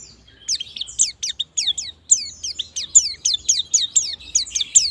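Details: White-eye singing as a lure for the ngalas and nembak song styles: a softer series of steady, high, downward-sweeping chirps repeated about three per second over a faint low hum.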